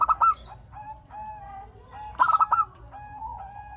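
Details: Lively local zebra dove song played to draw answering calls from other doves. Two clusters of rapid, rolling coo notes, separated by a long, smooth, level tone that drifts between them.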